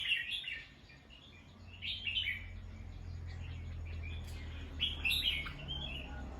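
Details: Bulbul calling in alert after hearing a sound: short harsh chirps around the start, near two seconds and near five seconds, over a steady low hum and faint background noise.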